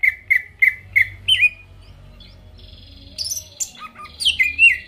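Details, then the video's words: Greater green leafbird singing as a lure to make rival birds respond: four evenly spaced clear whistled notes, a short pause, then varied high slurred and buzzy phrases, with low background hum. "PANCINGAN CUCAK IJO GACOR BUKA PARUH BIKIN LAWAN CEPAT ON LANGSUNG EMOSI DENGAR SUARA INI"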